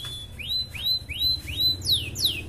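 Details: Red canary song played to boost breeding drive and egg laying in hens: clear whistled notes rising into a held high tone, repeated about every half second, then two falling swept whistles.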